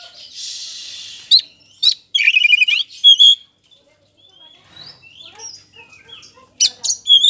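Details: Kacer poci (magpie-robin) singing in full voice as a lure to provoke another bird into answering. A buzzy high rasp opens, followed by a stuttered chattering burst, then scattered thin whistles and sharp chips.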